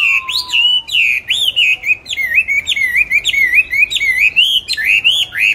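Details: Caged pet songbird, bought 19 May 2020, kept on stable feed and reported to sing anywhere at any hour, delivers a loud continuous warble of wavering, looping whistles, broken by brief gaps, after a faint falling whistle.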